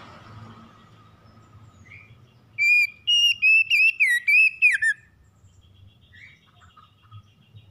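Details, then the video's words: Morning song of a magpie-robin, fast and lively, used for a stressed bird's recovery. After faint chirps, a two-second run of loud, ringing whistles wavers up and down and drops at the close, with soft chirps after. "PEMULIHAN KACER SETRES DENGAN KICAUN PAGI CEPAT GACOR"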